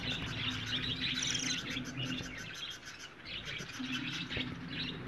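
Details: Colony of budgerigars chattering, rapid high chirps and warbles from many birds overlapping, rising and falling in waves over a low hum.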